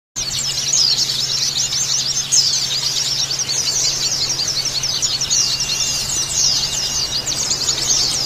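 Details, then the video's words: Oriental white-eye (pleci) group chorus (ombyokan) used as therapy to make caged birds chirp harshly and open their beaks: dense, rapid, high-pitched twittering and chirps overlapping continuously throughout, with a faint low steady hum beneath. "Terapi Pleci Ombyokan Jaminan Langsung Ngeriwik Kasar Dan Buka Paruh"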